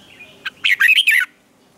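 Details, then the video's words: Red-whiskered bulbul in morning song, recorded as a lure voice for training other birds, with tight twisting double notes: a single loud, fast phrase of about five bright warbling notes after one short chirp, then silence. "luyện chào mào hót sáng hay nhất 2020, Âm kép xoắn căng, cách luyện chào mào hót căng lửa"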